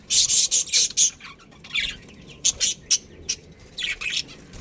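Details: A breeding pair of budgerigars in a colony gives a fast run of harsh, buzzy, high chirps, then a pause, then more grouped scratchy chirps.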